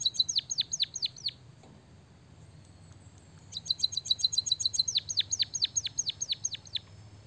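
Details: Singing white-headed munia with canary-song fill-in. A few falling whistles are followed by a pause, then a long rapid run of high chirps that turns into a series of sharply descending whistled notes.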